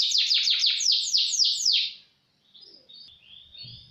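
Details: Canary song used as tutor material, 'roll speed' style: about two seconds of quick, repeated, down-slurred whistled notes at around four per second, then a brief pause and softer, thin warbling fragments.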